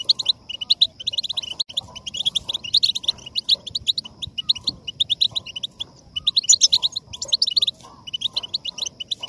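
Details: Goldfinch song for stimulating singing: long stretch of energetic, high twittering notes in rapid sequences, intensifying into louder bursts near the end.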